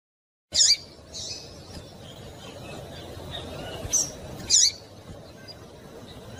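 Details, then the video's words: Calling female double-collared seedeater, used to stimulate a male to sing: short piercing high chips in two pairs, one pair near the start and one about three seconds later, with faint low hum between. "fêmea de Coleiro Chamando Muito para Esquentar Coleiro"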